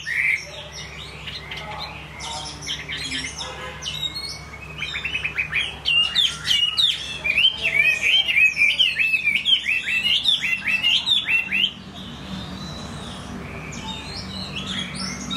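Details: Chinese hwamei in full song, a long, fast, dense stream of varied whistles and chattering notes that peaks in the middle before fading, with quieter phrases at the start and end.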